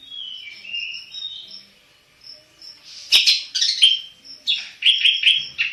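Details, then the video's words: Black-headed long-tailed shrike kept as a cage bird: soft warbled whistles at first, then a sudden burst of loud, sharp chirps and scratchy mimic-like notes. "burung cendet kepala hitam gacor"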